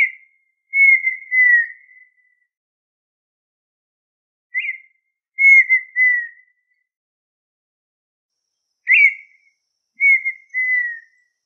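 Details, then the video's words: Red-winged tinamou singing three times, about every four and a half seconds: a brief upslurred note, then a drawn-out pure whistle that wavers and gently descends before fading, with no other sounds. "Perdiz....lindo canto"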